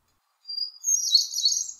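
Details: Hermit Thrush song phrase with echo-like harmonic notes, as though two notes are sung at once. A thin high whistle leads into a shimmering, rapidly trilled high cluster lasting about a second, with no other sounds.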